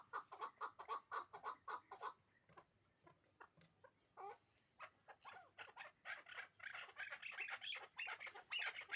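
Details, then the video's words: Hybrid chukar partridge pair kept for breeding: quick clucking chuks, a quieter gap with scattered notes, then a rising, excited chatter of harsh, higher calls. "Кабки Гибрид"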